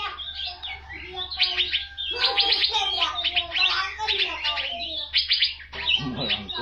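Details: Asian fairy-bluebird singing vigorously as a tutor recording for training birds: a dense, continuous stream of bright chattering notes, twitters and slurred whistles, with brief pauses between bursts and a faint low hum underneath.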